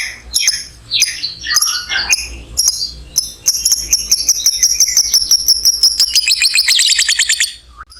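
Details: Lovebird ngekek, used to stimulate other lovebirds: spaced sharp chirps and clicks at first, then a long, high, thin trill that thickens into a fast, pulsing chatter toward the end.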